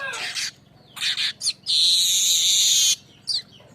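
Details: Lure song of a manyar kembang (streaked weaver): short buzzy bursts followed by one sustained, harsh sizzling trill lasting over a second, then a brief final chirp.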